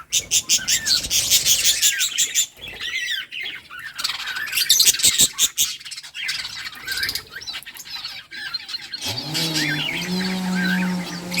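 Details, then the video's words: Budgerigars in a breeding colony chirping while playing: rapid, scratchy warbles and sharp chirps pour out almost continuously, then a low rising drone with harmonics enters for the final seconds. "Budgies playing and chirping"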